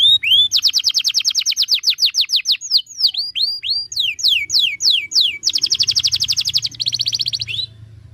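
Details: Loud, clear canary master song for training birds: a fast trill of rising notes, looping downswept phrases, then a dense rapid roll ending in a buzzy fading trill, with a low hum in the background.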